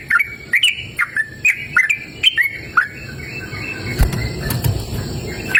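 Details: Yellow-vented bulbul singing outdoors in a cool open natural setting: clear whistled, warbling notes for about three seconds, then fading under a low rumbling background noise, with a final note at the end.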